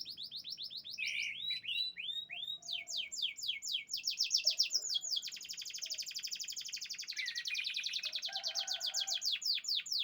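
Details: Top champion canary with a long unbroken song of rolling trills, fast repeated sweeping syllables and dense high rattles, shifting in speed and pitch, with soft low notes underneath.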